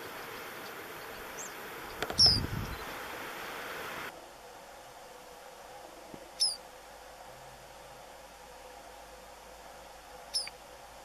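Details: One White-browed meadowlark vocalizing at Puente Romero, Gorchs, Buenos Aires Province, 4 February 2017: a clear high, quick downslurred note, then two fainter, similar notes about four seconds apart over steady background hiss.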